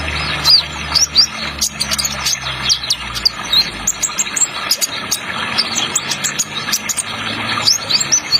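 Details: Spotted ninja sunbird (kolibri ninja trotol) delivering quick, high, squeaky chirps in clusters, some slurred upward, over a constant wash of flowing water and a low hum.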